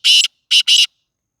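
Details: Black francolin, Sindh, Pakistan: three loud rasping, buzzy bursts, a longer first one then a quick double, with nothing else heard.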